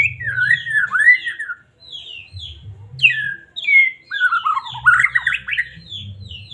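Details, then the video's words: White-rumped shama from Medan singing to provoke a caged bird: varied slurred whistles, scattered high downslurred notes, and a loud tumbling warbled phrase near the five-second mark over low hum. "Murai batu cocok buat pancingan burung anda"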